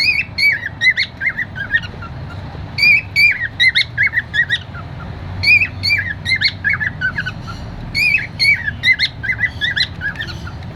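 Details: Cockatiel, described as happy and singing; bursts of short, wavering whistled chirps around mid-high pitch with squawky harmonics, coming in clusters separated by brief pauses, over a low steady background hum.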